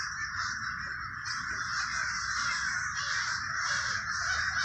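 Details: A flock of crows in a Trenton, New Jersey neighborhood (Villa Park) cawing all at once, the rough calls blending into a continuous raucous din that swells slightly toward the end.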